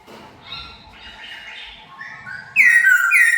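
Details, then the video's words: Decoy laughingthrush released to fly free indoors for the first time; after faint murmuring, loud clear whistled notes burst in during the last second, a sliding falling phrase followed by a rising one, ringing with overtones. "lần đầu thả Chim khướu mồi trong nhà"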